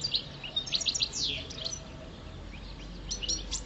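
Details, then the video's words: Pet goldfinch (parva), five years old, in song during mating season: rapid high chirps and tinkling twitters, a short pause, then more scattered sharp notes, with soft steady room noise. "Goldfinch song"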